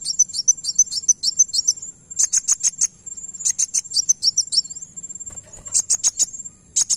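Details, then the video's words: Van Hasselt's sunbird giving very high, thin, rapid twittering bursts of sharp notes in quick runs, over a steady high insect-like whine. "Kolibri wulung langsung nyaut dengar ini"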